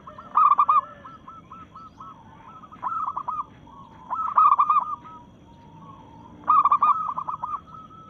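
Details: Rival-challenging song of a local zebra dove (perkutut) in breeding mood: three clusters of fast, rolling coos roughly three seconds apart, each tailing off into a line of softer repeated notes.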